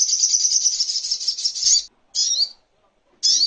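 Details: Little spiderhunter (sogok ontong), recorded as tutor material for songbirds: a long, fast, high buzzy trill of almost two seconds, followed by two short, sharp, high notes with silent gaps between.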